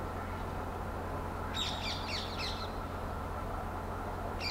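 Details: Spotted owlet giving a quick, scratchy chattering run of four or five harsh notes in about a second, followed by a single note later, over a steady low hum.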